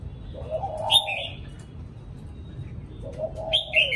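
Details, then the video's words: Spotted dove cooing in the thổ cụ style: low, soft coo phrases at start and end, with sharp, bright chirps from other birds overlapping them. "CU GÁY THỔ CỤ"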